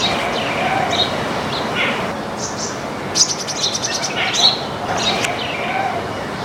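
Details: Baya weavers in a flock, eating grains in a backyard, give scattered high chirps. A quick run of ticking notes comes near the middle over a constant hiss.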